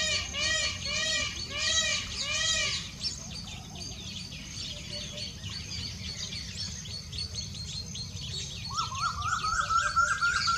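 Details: Indian peacock calling four times in quick succession, loud nasal wails with rich arched harmonics about every half second, then a dense chorus of small chirping birds and a higher rising whistle near the end.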